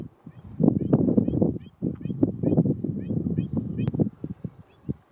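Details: A flock of Andean flamingos in Chile's Atacama Desert keeps up a steady, low, pulsing murmur of grunts. Faint, brief, higher chirps are scattered through it, with a sharp click near the end.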